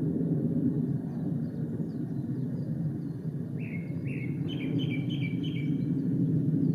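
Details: On 3 May 2017 at Ōbora spring, Lake Yamanaka, Japan, a male Japanese Thrush gives two rising whistles followed by a quick series of repeated clear notes, against a strong steady low rumble.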